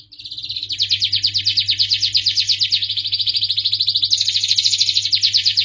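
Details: Starblue canary song, a long continuous rolling trill of quick sharp notes that rises slightly and brightens after four seconds, with a faint low hum underneath.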